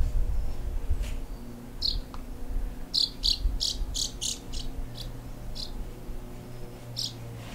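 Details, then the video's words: House martin chicks, two of them, in a nest under the soffit boards of a house in South Somerset, late July 2017, being fed constantly by their parents; short high chirps come in a quick cluster, then scattered singly, over low rumbling background noise. "House Martins Feeding Late July 2017 In South Somerset"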